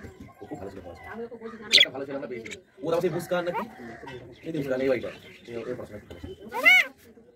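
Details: A common myna (Acridotheres tristis), a talking bird, imitates human speech in voice-like, syllable-broken phrases, ending in a sharp rising squawk.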